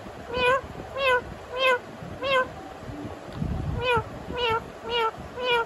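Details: A talking pet Indian ringneck (rose-ringed parakeet) mimics a cat's meow: eight nasal, bending 'miaow' notes, about every half second, in two runs of four with a short pause.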